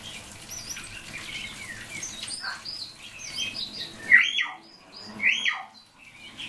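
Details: Common hill myna calling its friend by name: a busy run of high whistled and squeaky chirps, some rising and falling, with two louder harsh bursts near the fourth and fifth seconds and quieter twittering between them.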